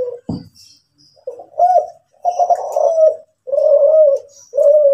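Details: Captive spotted dove of the Kelantan strain, known as derkuku Kelantan, cooing: a short sharp knock, then quiet notes building into full, deep, sustained coos that descend slightly, repeated roughly once a second.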